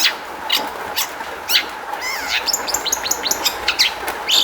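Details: Long-tailed shrike singing, meant as a lure to make other shrikes sing: harsh chips, then a stretch of quick looping whistles and varied mimic-like notes, over a steady hum.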